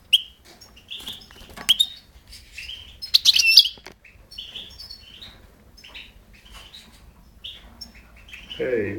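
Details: European goldfinch, recorded 5 June 2011: short chirping notes repeated at irregular intervals, with a brief louder rattling burst near the middle and a low rumble at the end.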